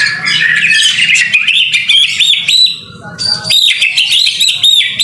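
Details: White-rumped shama training song recorded in the rain: a rich, rapid jumble of varied whistles, chirps and slurred notes, mostly high-pitched, over a steady low patter of rain.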